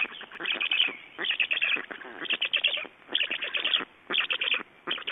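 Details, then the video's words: Feeding black storks in Estonia, 11 June 2012, 22:44: grating, rhythmic chatter delivered in quick bursts of tightly packed pulses, about five bursts, separated by brief pauses. "Estonian Black Storks - Feeding"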